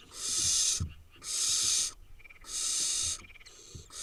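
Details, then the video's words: In Israel, a wild brood of eight barn owl nestlings gives strong, harsh hisses under a second long, about once a second, with soft thuds in the pauses. "8 nestling cute barn owl nestlings"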